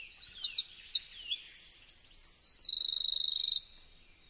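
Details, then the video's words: Eurasian wren singing, captured with a Zoom H6: quick high twittering notes, then a series of looping whistled phrases and an extended machine-gun trill before a final short note; clean background. "Bird sound #5 - Eurasian Wren"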